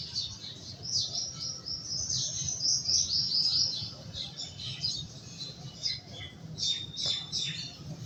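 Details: A bulbul bathing in clear water gives quick, high twittering chirps in a busy stream over about eight seconds, with a steady low rumble underneath.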